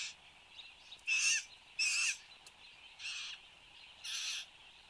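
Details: At its bower in Australia, a displaying satin bowerbird recorded by camera at 8:02 am on 10 January 2015. It gives five rasping, hissy bursts, the middle two loudest, over a faint continuous insect hum.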